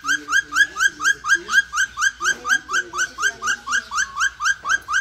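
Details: A male Major Mitchell's cockatoo at a bird shop, displaying and raising his crest, gives a fast, steady run of harsh, nasal squawks, about four a second, over a faint low indoor murmur.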